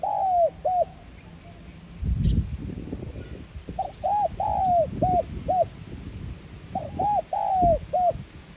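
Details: Cooing of a 'giọng son' spotted dove, played to make decoy birds sing: three rhythmic phrases, each short notes around a longer downslurred coo, with low rumbling noise between them.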